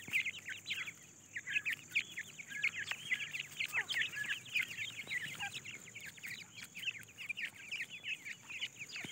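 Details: Foraging grey francolin chicks searching for food: many quick, thin, high chirps and peeps crowd together without pause, some slightly louder notes standing out from the chattering mass.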